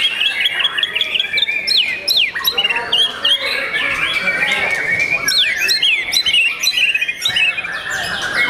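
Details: A young kept white-rumped shama sings bursts of sharp descending whistles and quick, clipped notes, separated by brief pauses, with a softer, fuller warbling passage in the middle.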